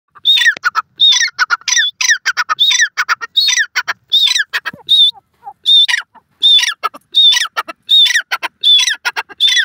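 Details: Grey francolin, known locally as dakhni teetar, in high spirits: loud, ringing, repeated high whistled phrases with rising notes, given in rapid bursts about eighty times a minute, closely spaced and fairly regular.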